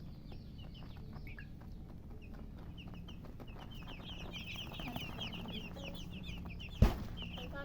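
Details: Chirping of colour chickens. Scattered high peeps at first build into a dense run of quick down-slurred notes from several birds. A sharp knock sounds near the end, with a low hum underneath.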